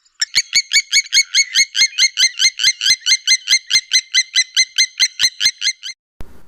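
Blacksmith Lapwing giving a rapid series of sharp, metallic 'tink' notes, about two to three per second, like a hammer striking an anvil.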